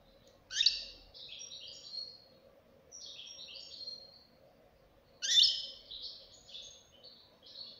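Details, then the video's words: Fledgling European goldfinch giving three phrases of sharp, buzzy twittering, each opening with a loud harsh note followed by quick trilled chatter, with short gaps between; faint background hum. "غناء فرخ طائر الحسون"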